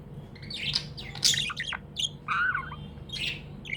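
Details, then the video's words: Happy tame budgie chattering: dense bright chirps, squeaks and a short wavering whistle in lively succession, with low background hum. "Happy budgie chirping sounds"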